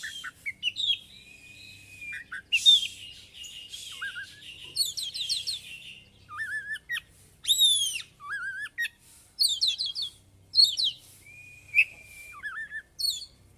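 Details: Loud ngeplong singing from a white-rumped shama, a style heavy with mimicked phrases; varied sequence of steady whistles, rapid chattering note clusters, and arching upslurred notes, repeated in bursts every second or two.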